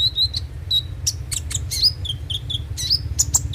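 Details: Konin, the kolibri ninja, giving a lively song as a singing lure: thin high whistles and quick chirps, some notes bending upward, packed closely, with a faint low hum beneath.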